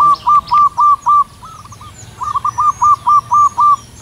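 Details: Zebra dove, a wild local bird, singing long and loud from high up on a cool morning: two runs of five or six rapid hollow notes, about four per second, separated by a softer rolling trill.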